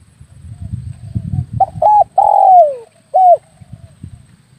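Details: Spotted dove lure call used to attract doves when hunting with an air rifle: two short clipped coos, then a long coo that slides downward, and a final short coo. Faint low rumbling sits underneath.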